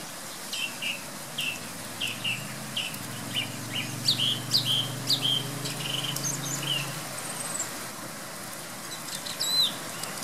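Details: In pouring rain at 7am, a thrush outside a bedroom window delivers a brisk run of short whistled and warbled phrases, repeated in quick succession, over constant rain hiss and a low passing engine hum.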